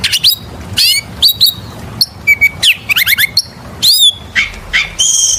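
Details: Oriental magpie-robin singing loudly and persistently, used as a lure to prompt other birds: varied short whistled phrases, sharp upward and downward slurs, a few steady whistles and chattery bursts, separated by brief pauses.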